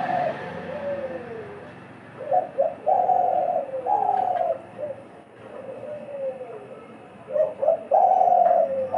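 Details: Caged decoy doves, two birds trading calls back and forth in a calling contest in Bangladesh: mellow, throaty coos with a gliding, sagging note, then a quick double note and longer level held tones, repeated in bouts.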